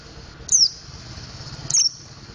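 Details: Mountain white-eye practising the ngriwik and ngeplong styles, giving two brief high descending whistled notes about a second apart against a low murmuring background.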